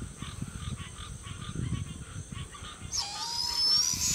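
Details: Juvenile barred owl calling for its mother: after a stretch of soft rustling and faint pulsed noise, a loud harsh rasping screech begins, sustained and hissy with a thin rising tone, lasting over a second.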